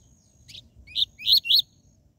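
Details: Double-collared seedeater giving its TUI TUI ZEL ZEL song, used to stimulate captive birds. A short phrase of one soft note followed by three loud, high, rising whistled chirps.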